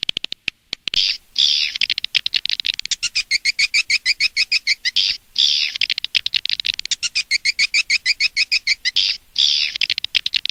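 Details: Edible-nest swiftlet lure recording from Indonesia, used outside a nest house to attract birds: repeated rapid series of clipped high chirps broken by longer buzzy twitters, a pattern recurring every few seconds.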